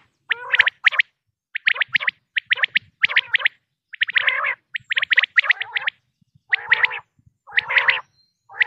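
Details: Pakistani common quail (batair) giving sharp, liquid three-note 'wet-my-lips' phrases, repeated roughly once a second without pause; no other sounds.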